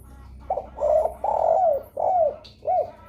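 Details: Spotted dove lure call, used to prompt other spotted doves to answer: a phrase of five low, hollow coos. The first note is short, the middle coos are drawn out, and several end in a falling slur.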